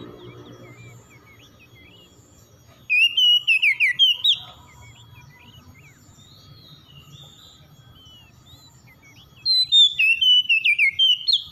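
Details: Morning song of an oriental magpie-robin: two bursts of rapid, varied whistled and chirped notes, rising and falling, separated by several seconds of near silence with faint low background hum.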